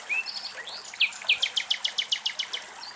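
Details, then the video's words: Common nightingale singing in Greek countryside: a few thin, high whistles, then a fast run of about a dozen sharp, repeated chipping notes, several per second. "Αηδόνια Κελάηδημα"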